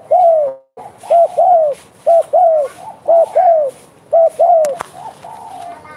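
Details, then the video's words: Vigorous spotted dove (derkuku gacor) repeating bekur coos: about five two-part phrases, a short hooked note and a longer sliding-down coo, nearly a pair per second, with one loud click near the end. "derkuku gacor bekur bekur"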